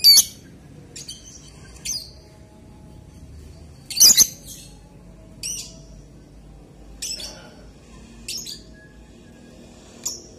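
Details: Lovebird uttering sparse, piercing high chirps, single or doubled bursts every one to two seconds, with long quiet gaps and a low room hum beneath.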